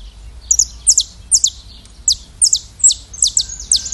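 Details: High, quick chirps from a saffron finch in Brazil, each note sliding downward, often doubled, repeated roughly every half second against faint low background noise.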